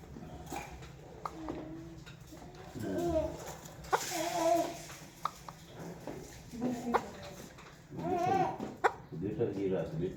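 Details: Rose-ringed parakeet (Psittacula krameri), talking.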